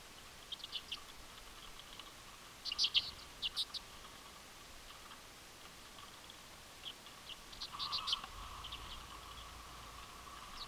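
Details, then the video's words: Many common redpolls at a boreal Ontario feeder give scattered, quick buzzy twitters and chips in loose bursts, several calling at once, over a faint steady hum. "Lots of Common Redpoll"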